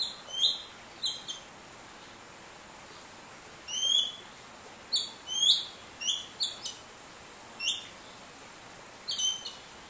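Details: A greater racket-tailed drongo eating at a pond by a bird hide in Shiti Village, Yingjiang County, Yunnan, China, in October 2020, gives quick, high, metallic chirps with short upswept and falling notes, several a second, over faint hiss.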